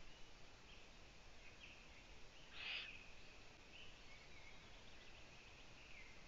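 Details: Owlets in the nest, two of them having gone onto a balcony, let out one brief harsh hiss near the middle amid a constant faint electrical-like whine.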